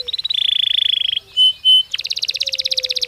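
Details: Belgian canary song used to stimulate a canary to answer: a rapid rattling trill, two pure held whistles, then a brighter fast rolling trill over a faint low steady tone.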